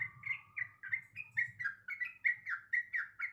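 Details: Female sooty-headed bulbul in breeding condition calling the male: a rapid chattering run of short, slurred chirps, about four per second, each dipping and rising, over a low steady hum.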